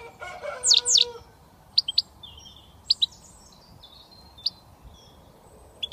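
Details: British European goldfinch, a young bird just starting to whistle, giving a pair of loud sweeping notes followed by widely spaced sharp chips and faint thin whistles over soft hiss.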